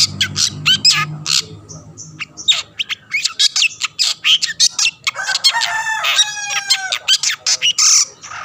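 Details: Energetic Long-tailed shrike song meant to stir other shrikes to answer: dense, varied high chatter of sharp clicks, harsh scratchy bursts and whistled slides, growing busier and more tangled halfway through.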